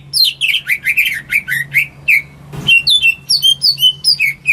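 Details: Pet greater green leafbird singing as a lure for birds that have stopped singing: repeated downslurred chirps, then after a short rustle a series of high, clear whistles, each slightly different.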